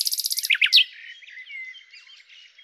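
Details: Common nightingale, Luscinia megarhynchos, opens with a fast series of high clicking notes and a few sharp slurred accents, then fades into soft, thin whistles and distant twittering.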